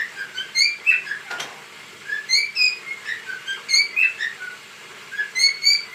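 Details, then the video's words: Pet cockatiel calling while dancing: bright whistled phrases of short slurred rising and falling notes, each phrase about a second long and repeated four times with brief quiet gaps, over a faint low room hum. "sultan papağanı sesi"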